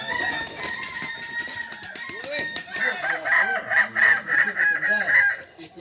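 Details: Kokok Balenggek rooster from Solok, West Sumatra, a village chicken prized for its tiered crow of three to nineteen steps; scratchy calls open, then a loud stepped crow of about eight rapid pulsing segments follows.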